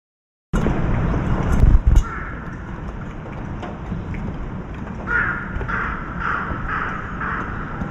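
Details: A soaking-wet crow flies in from the forest cawing and lands on a window of the apartment opposite. After a loud thump, a steady hiss fills the background, then four harsh caws follow at even intervals of about half a second.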